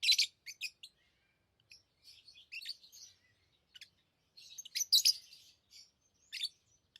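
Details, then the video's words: Loud, raspy high chirps from pet lovebirds, followed by softer twittering notes and another cluster of strong scratchy calls, with short quiet gaps. "Love birds Sounds | lovebirds chirping sounds"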